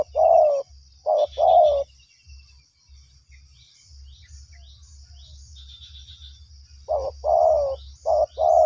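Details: Spotted dove, being lured, calling in low, mellow cooing phrases. Two coos open the clip, then a quiet stretch with low rumbling background noise, then four more coos close together at the end.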